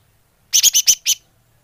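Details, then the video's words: Greater green leafbird lure call: five harsh, rasping notes in quick succession, broad and buzzy, the last set slightly apart from the others. "Suara Pikat burung cucak hijau / leaf bird call"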